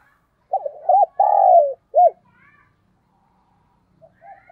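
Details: Spotted dove kept as a decoy: a phrase of a stuttered note, a looped note, a long falling coo and an arched final note, then quiet with soft faint calls.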